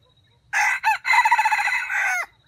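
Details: A red junglefowl used as an older trap decoy bird crows with a young-sounding voice. The single crow lasts about two seconds: a short opening note, then a harsh, pulsing phrase ending in a quick downward slur.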